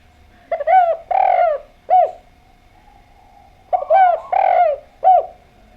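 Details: Spotted dove in lively song: two matching phrases of soft, low, hooting coos, each a quick stutter of notes then a longer drawn coo and a short final note, separated by about two seconds of quiet.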